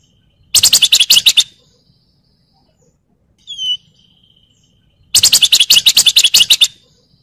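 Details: Javan fulvetta (wergan jawa) in ngebren rattling mode, recorded to train other songbirds: two long, rapid pulsed rattles lasting about a second each, separated by a single thin downslurred whistle.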